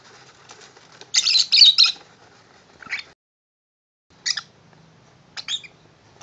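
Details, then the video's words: Tame pet lovebird singing happily over a new shoe box: a loud, rasping chatter burst, then scattered short squeaky chirps separated by near silence. "Tame Lovebird singing happily for his new house."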